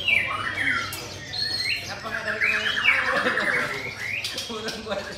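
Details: White-rumped shama singing at a songbird competition where it placed second on the podium; rich, varied whistled phrases with rising and falling slurs around the mid-high range, with people talking in the background.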